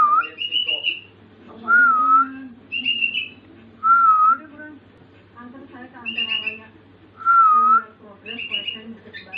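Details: Sooty-headed bulbul, a young pet bird learning filler sounds to copy: clear, wavering whistled phrases repeat every couple of seconds, alternating with shorter, higher, buzzy chirps and chattery notes, with a low steady hum behind.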